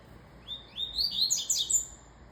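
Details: Song of a double-collared seedeater, a single brisk phrase of clear rising whistles that accelerates into a dense, sparkling, slightly buzzy trill at the top, with faint room hiss behind.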